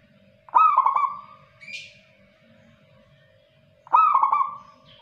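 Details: Local zebra dove singing lively phrases about three seconds apart, each a sharp start followed by fast stuttering coos and a trailing end, with a faint brief higher note between them and a steady hum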